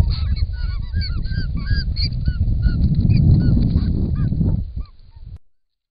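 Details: Camera-trap recording of wild White-winged Choughs drinking at a pond in Australia: dense overlapping arched whistles from many birds over strong low flapping noise, thinning out and stopping near the end.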